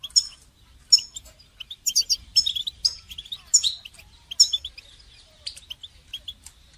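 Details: Goldfinch training song: lively twittering in bursts, with bright high notes, rapid chips and buzzy trills repeated every half second or so, then sparser chirps toward the end.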